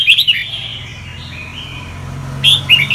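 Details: Red-whiskered bulbul of the Sông Kon singing style, recorded for training other birds' voices; bright whistled notes open and close the clip, with a long, lower, steady whistle sustained between them.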